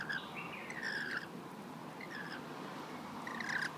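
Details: Wild local rainbow lorikeets being hand-fed on a balcony in Australia give short screechy chattering calls in two bursts, one at the start and one near the end, with a quiet gap between them.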